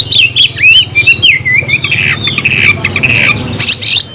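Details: Oriental magpie-robin in captivity singing a fast, varied string of whistled swoops, wavering slurred notes and raspy buzzes, with a steady low background hum.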